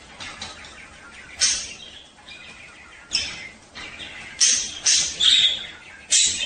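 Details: Mating-time singing of male budgerigars used to encourage breeding: sparse, high squeaky chirps at first, then a quicker run of loud, sharp twitters near the end.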